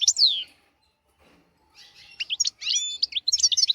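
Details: European goldfinch song used as a tutor recording for young goldfinches and canaries: a loud descending whistled slur, a pause, then rapid twittering notes and chirps in quick bursts.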